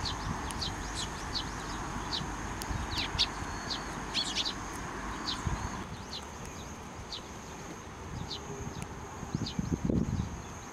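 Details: Sparrows at a Tenmangu shrine on 23 June 2024, flying onto a person's hand for food: scattered short, high chirps over steady low rumbling background noise, with a louder burst of noise near the end.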